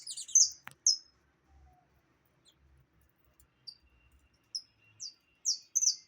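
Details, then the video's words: Opaline saffron finch giving scattered high, bright chirped notes, one loud opening burst, then single sharp chips spaced about half a second to a second apart, with brief quiet gaps and faint low background rumble. "Canário da terra opalino"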